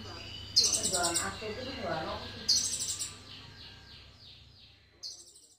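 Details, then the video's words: Sunbird from Indonesia singing actively, its song filled with imitations of the cililin; brief high, bright trilled bursts recur about every two seconds, with lower murmuring sounds between them. "Konin gacor-isian full cililin"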